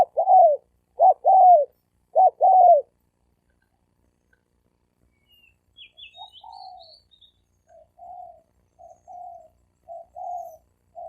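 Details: Male spotted doves challenging each other to fight. Three loud two-part coos come in quick succession, then a pause. Faint high twittering chirps follow, then a string of quieter, shorter coos.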